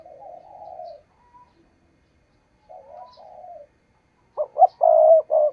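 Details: Captive decoy spotted dove cooing to attract wild doves to a trap: soft, wavering low coos first, then a loud phrase of quick clipped notes ending in a drawn-out coo, in otherwise quiet surroundings.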